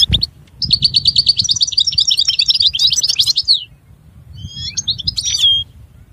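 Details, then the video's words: European goldfinch song: fast twittering phrases of rapid repeated notes high in pitch, one long run then a short break and a brief liquid trill ending in a clear whistle; faint low hum beneath. "Chant Chardonneret تغريد طائر الحسون"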